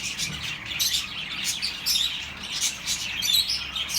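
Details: Many pet birds chirping together, played to soothe lonely birds; rapid high twitters and short warbled phrases overlap in steady, lively chatter with small surges every half second or so.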